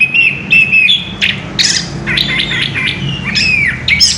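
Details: Orange-headed thrush (anis kembang) in ngerol rolling song style: loud clear whistled notes mixed with short buzzy chatters and sharp high slurs, delivered in quick succession with barely a pause.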